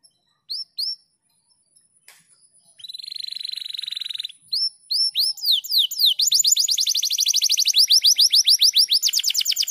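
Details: Canary master song, 'speed rapat gacor' style, for training other canaries: a few isolated whistles, a long flat buzzy rattle, then a fast sustained trill of rapid downward sweeps.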